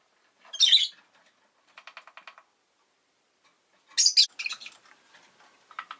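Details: Rosy-faced lovebird with a harsh screech, then a fast run of soft rhythmic ticking notes, then a cluster of several raspy chirps and more soft ticking toward the end.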